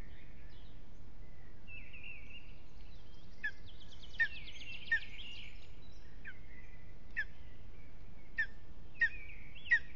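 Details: Lesser spotted eagle at its nest in Latvia during a restless evening: thin, wavering whistled calls and a rapid chattering run, then short sharp yelps spaced about a second apart, over constant low rumbling background noise.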